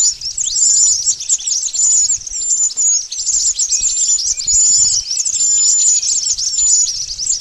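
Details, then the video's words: Pied bush chat calls recorded as a lure for trapping birds: dense, rapid high chirps overlapping with thin whistled notes, running almost without pause through the recording, with faint low rumble beneath. "Suara pikat burung mantenan ampuh"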